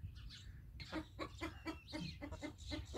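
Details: Rooster alert calling, heard more distantly: a quick series of short, knocking clucks roughly every quarter second over a noisy, rumbling background.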